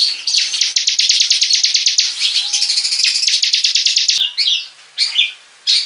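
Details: Hobby-kept bar-winged prinia in 'gacor' song: a quick, even series of sharp high chirps for about four seconds, followed by a couple of separate sweeping, twittering phrases with gaps between them.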